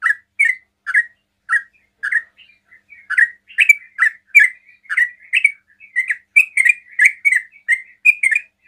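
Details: Sooty-headed bulbul delivering fast ropel-style song to lure other bulbuls into answering: loud, clear chirped notes, spaced at first, then tumbling faster and denser toward the end.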